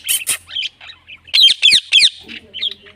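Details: Indian ringneck parrot, a green pet parrot, making natural vocal sounds: scattered hoarse squawks and chirps, then a run of three loud harsh notes in a row, followed by softer twittering.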